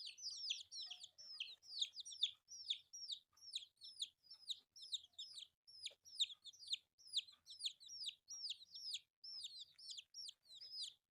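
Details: A flock of colourful baby chicks pecking at rice: incessant high-pitched cheeping, each note sliding sharply downward, chorus of overlapping chicks with near-constant rhythm and only faint background knocks.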